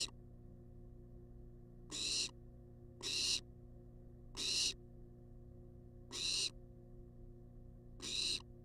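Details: Wild barn owl at a monitored nest box, demanding food: harsh, hissing screeches about a third of a second long, repeated roughly every one to one and a half seconds, with a low steady hum between them.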